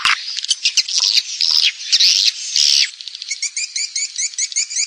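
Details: Swiftlet call and roosting sound used by Indonesian swiftlet farmers to attract birds: loud, overlapping high chattering twitters, then a quieter run of rapid, regularly repeated high chips.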